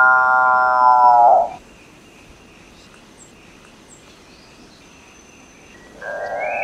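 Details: Capuchinbird (Maú) song: a moaning droning note ends abruptly after about one and a half seconds. Quiet forest background with faint insects follows for over four seconds, then another loud growling note begins.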